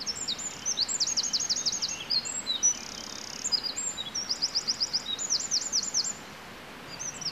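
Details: Eurasian wren singing lively in the early morning, ignoring a nearby person: loud high-pitched bursts of rapid repeated notes and trills, with short pauses between phrases.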